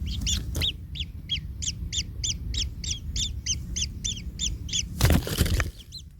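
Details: Kingfisher chick trampled by its parent in the nest: a regular series of harsh, rasping begging notes about three per second, broken near the end by a loud thump or rustle, low rumble throughout.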